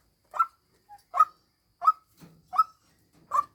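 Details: Female white-breasted waterhen decoy call: five loud, clipped, croaking notes spaced roughly three-quarters of a second apart, with a faint lower grunt between them. The background is quiet.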